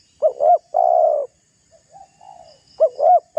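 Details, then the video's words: Spotted dove calling to goad a rival bird into emotion, as a lure: one full phrase of two short notes and a long coo, then faint distant cooing, then the next phrase begins. "Suara tekukur GACOR merayu lawan agar terpancing emosi"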